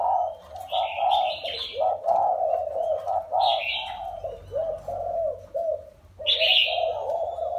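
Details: Caged spotted dove, wild-caught and held four years, coos in low, throaty phrases broken by pauses, while higher chirping notes appear three times.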